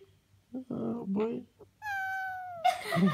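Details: Indoors, a 12-year-old pet male Senegal parrot sighs to get attention when denied something. Low voice-like murmurs come first, then a long falling whistled tone with rich harmonics lasting nearly a second, ending in a harsh breathy burst.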